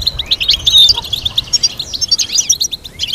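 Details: European goldfinch song meant for teaching goldfinches complex melodies: a continuous, dense, high, liquid twitter of fast chirps, buzzy notes and quick slurred whistles with hardly a break.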